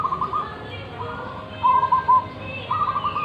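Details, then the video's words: Local wild zebra dove, big-voiced, delivering short bursts of rapid rolling coos, a few clipped notes, then another quick run; steady low background hum. "Perkutut lokal alam suara besar"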